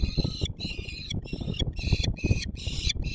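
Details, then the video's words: Peregrine falcon calling at feeding time at the Palace of Culture and Science, Warsaw, 17 July 2022: harsh, ringing harmonic cries in short bursts about every half second, over heavy low rumbling noise. "Sokół wędrowny PKiN Warszawa - Chłopaki wstawać kolacja"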